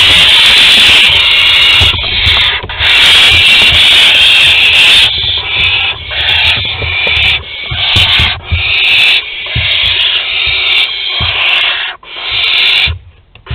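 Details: Barn owl family at the nest in Théding, 22 August 2020, during an agitated food delivery: a dense run of harsh, raspy hissing screeches overlapping and pulsing, with scuffling thumps beneath.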